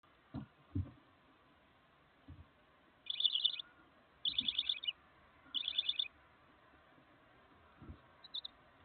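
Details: Barn owl chicks, four present, give three brief pulsed raspy hisses about a second apart and a final faint one, amid soft low knocks and bumps.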